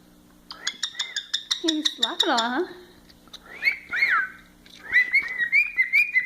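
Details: An excited male cockatiel chatters in quick repeated notes, then gives swooping whistles that rise and fall.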